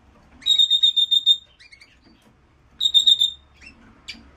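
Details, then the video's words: Red-rumped parrot singing to stimulate male and female to mate: a fast run of about seven bright, evenly pulsed whistled notes, a pause with soft chirps, then a second similar pulsed run and a short rising note. "تغريد الريدرامب لتحفيز الانثى والذكر على التزاوج"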